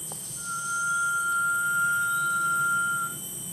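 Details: A Rail-babbler circling observers at Panti Forest, Johor, Malaysia, is whistled to by people. The long, pure whistle held on one steady pitch for nearly three seconds may be man-made, as the bird's own whistles are much fainter. A high insect drone runs underneath.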